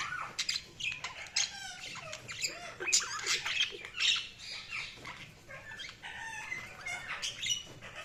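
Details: Continuous budgerigar twittering: fast warbling chirps, short whistled slurs and squawks overlapping throughout.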